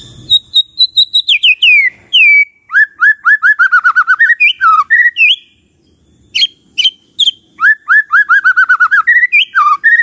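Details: White-rumped shama in full song, aimed at getting other shamas to answer and sing: a long high whistle sliding down, then fast rolling whistled trills, sharp chips and slurred phrases repeated over ten seconds.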